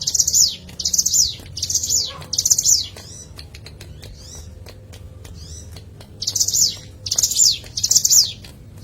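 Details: Hill prinia call played as a lure: four loud, shrill chattering phrases in steady succession, a quiet stretch of clicks and faint whistles, then three more similar phrases.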